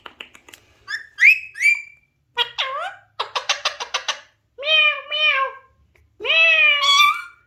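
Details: Alexandrine parakeet producing soft clicks and short high whistles, a swooping note, a burst of rapid buzzy pulses, then two drawn-out nasal harmonic calls separated by brief silences.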